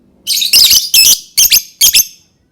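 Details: Lovebird song played to encourage other lovebirds to sing: loud, rapid, grating screeches in paired bursts, four groups packed into about two seconds, harsh and piercing.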